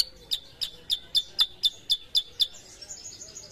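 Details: Sooty-headed bulbul, kept as a cage bird and being trained from an untrained bird into a frequent singer, giving a steady series of sharp, high chipping notes about four per second, then a softer high twitter.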